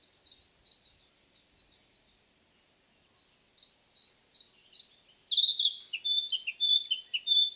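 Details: Narcissus flycatcher song in forest: faint, distant-sounding series of high chirped notes, a short pause, then a louder run of clear whistled and trilled phrases.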